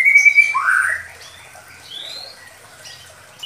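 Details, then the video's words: Medan-type White-rumped Shama, lure song suited to young birds. A sustained clear whistle runs into a rich rising slur, followed by quieter thin whistled notes that rise gently, with a soft low hum beneath. "Pancingan Sederhana Pastol || Murai Batu Medan || Cocok Untuk Murai Batu Muda"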